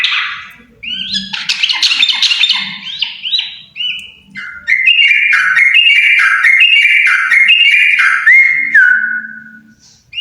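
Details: Yellow-vented bulbul pair singing hard, with scratchy bubbling bursts giving way to a long, rapid stream of stepping, liquid notes that ends on a clean downward-slurred whistle.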